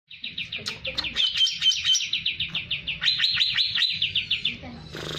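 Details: Greater green leafbird, hyperactive, singing to provoke other birds: fast series of bright chipping notes repeated about five times a second, high and steady, with brief denser bursts, ending in a short noisy rustle.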